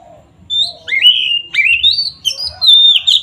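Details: Oriental magpie-robin singing in 'ngeplong' style to provoke rival birds: rich, sweet whistles sliding upward, then clear sustained notes and quick twisting phrases in rapid succession.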